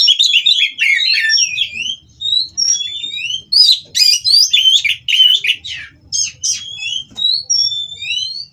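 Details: Caged white-rumped shama singing while mating, stirring rivals to answer; bursts of clear whistled slurs and buzzy chatter, separated by short gaps, several long rising whistles near the end, soft low rumble underneath.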